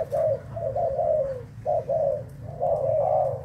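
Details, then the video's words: Thai-strain spotted dove cooing, 11 August 2018: drawn-out hollow hoots in three phrases split by brief pauses, each phrase sliding slightly downward. "Cu gáy thailand"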